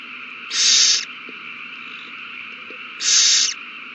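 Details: Owls at the nest in a frenzy over a delivered mouse, 21 March 2020. Two breathy, raspy hisses of about half a second each, spaced roughly two and a half seconds apart over faint background hiss.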